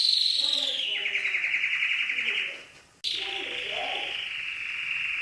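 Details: Canary song for training other birds, mixed with soothing trickling water: long buzzy trills held high, sliding gently down, breaking off briefly before a second sustained rolling trill, with faint lower warbles beneath.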